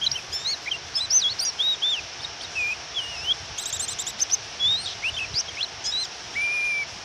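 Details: Female Japanese white-eye calling to provoke a male into singing, with rain. High thin whistled notes, some rising and some falling, scattered irregularly over steady hiss, with a brief buzzy burst midway and a long flat whistle near the end.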